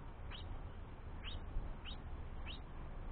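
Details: A young House Finch begs its father for food while the mother takes a break: four short, rising chirps, each sweeping quickly upward, spaced about half a second to a second apart over a low steady background hum.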